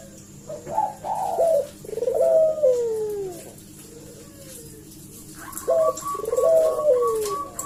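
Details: Collared dove calling as bait to make other doves answer: several rolling coos, each dropping slowly in pitch and repeated in close succession, with a short pause before the last two phrases; faint indoor room tone.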